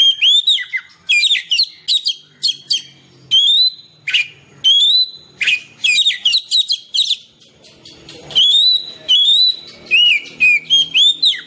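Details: Oriental magpie-robin, recorded singing naturally to stir caged birds into song and lure wild birds: a long varied sequence of clear whistles, loops and rapid scratchy twitters, repeated in short phrases.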